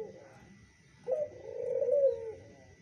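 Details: A single sustained, low, soft coo from a zebra dove responding to a lure call, rising in volume toward its end before dying away.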